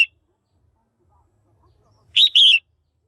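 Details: One loud double chirp, the second note wavering downward, from a female red-whiskered bulbul calling to arouse males or for pairing, after near silence.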